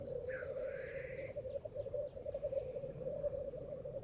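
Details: Black grouse at World's End in very foggy weather: a continuous low bubbling, rolling coo drones throughout, with a brief rising hiss-like sweep early on and faint high chirps from other birds above.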